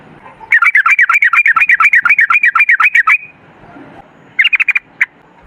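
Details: Yellow-vented bulbul in rapid, extended lure song: a steady stream of quick, warbling, chattering notes for about three seconds, then a short separate flurry.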